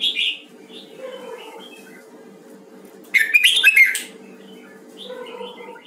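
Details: Red-whiskered bulbul of the Huế type during voice training. A short bright warble opens the recording, then a louder burst of rich, tumbling whistled notes follows three seconds later, over a faint low steady hum.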